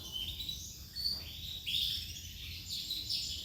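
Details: Male canary giving a continuous, high, dense warbling song of rapid trills and twittering phrases, fairly quiet throughout, over a faint low background hum.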